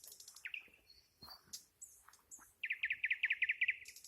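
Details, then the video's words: Nightingale song: a rising whistle, thin high notes and brief pauses, then a rapid, rich throbbing trill of about a dozen pulses near the end, closing with high buzzy notes. "Ласкающая слух песня соловья"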